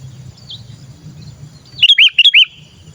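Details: Sooty-headed bulbul calling, used as a lure to attract other bulbuls: after a quiet stretch with faint thin whistles, a quick burst of four loud, bubbly, hooked notes, then low background hum.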